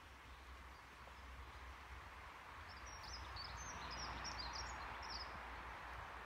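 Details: Dunnock singing faintly on 7 May 2021 at Mingen, Njurunda: a quick, high, scratchy warble of about two and a half seconds over a steady low rumble of wind or distant traffic.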